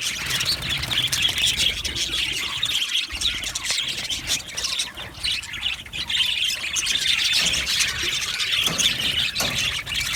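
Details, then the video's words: Many budgerigars chattering together in an aviary colony, described as happy: steady high-pitched twittering and squawky chirps overlapping without a break. "Amazing Budgies sounds | Budgies chirping sounds | Happy Budgies sounds"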